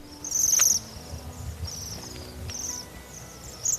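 Bohemian Waxwing giving very high, thin, silvery trilled notes in short bursts, four or five spaced about a second apart, over a faint background hiss.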